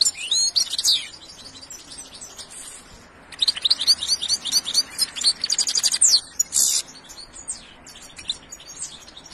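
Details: European goldfinch singing: rapid bursts of high, tinkling twitters and sharp trilled notes, with a pause midway before a longer, denser run of chattering phrases, then softer scattered chirps.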